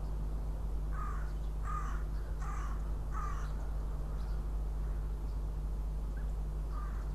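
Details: Northern goshawk at a nest in Riga, Latvia, incubating eggs, 6 April 2016: four harsh, nasal calls at a steady pace of about one every 0.7 seconds, a pause, then one more, over a constant low hum.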